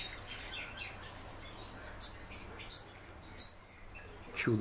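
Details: House martin kept as a pet, with sparse, thin chirps spaced out by short gaps and a louder rumble of handling noise near the end.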